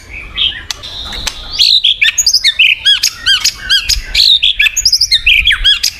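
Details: Song of a white-rumped shama used to encourage a silent bird: high, rapid arched chirps repeated in quick bursts, mixed with sharp clicks and thin whistles.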